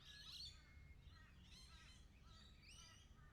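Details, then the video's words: Several lorikeets chatter with high, scratchy squeaks and short rising chirps that overlap one another, set against a constant low hum of background noise. "360 VR sounds of lorikeets"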